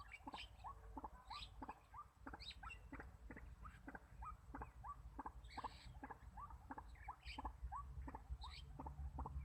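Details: Decoy White-breasted waterhen kept to lure wild birds for trapping, repeating quick rising notes at a steady pace of several per second, with scattered higher clicks and a constant low-frequency background drone.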